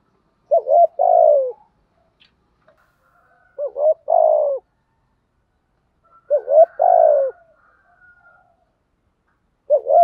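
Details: Spotted dove urging coos (gù thúc) meant to stimulate males: low paired notes followed by a longer falling coo, repeated roughly every three seconds, with a faint higher buzzy note over one phrase.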